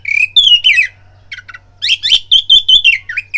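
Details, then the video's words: Oriental magpie-robin singing a fight-provoking lure: a buzzy whistled opening, descending slurs, a brief pause, then rapid loud repeated whistled notes ending with dipping slurs. "BIRAHI TARUNG KACERMU NAIK DENGAR PANCINGAN KACER INI BUNYI"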